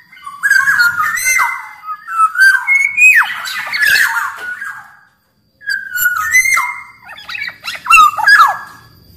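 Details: Lively black-naped oriole from Sumbawa, used to coax quiet caged orioles into song: a long sequence of fluty downslurred whistles and grating squawks, a brief silence, then more whistles and rasps.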